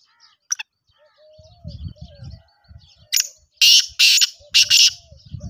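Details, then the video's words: Black francolin giving loud rasping, broadband bursts in quick succession, the final pair doubled, after a quieter stretch of low rumbling handling noise, faint chirps and a steady hum. "Kala Teetar ki awaz"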